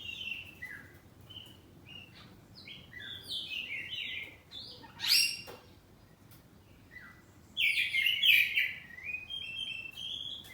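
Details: Oriental magpie-robin, a house-kept bird, in full song: varied whistled phrases and short slurred notes rising and falling, one sharp high burst midway and a loud rich phrase later, over a steady low background hiss.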